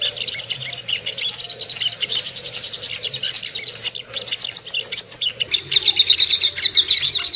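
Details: Ruby-cheeked sunbird song used as a lure to make birds aroused and aggressive: a dense, rapid stream of thin, high chirps and twitters running almost without a break, with a short dip near four seconds.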